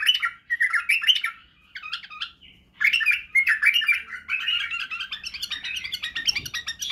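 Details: White-eared bulbul song aimed at teaching young bulbuls singing and barwaz: loud, rollicking whistled phrases, a short lull with soft notes, then a long energetic chattering warble.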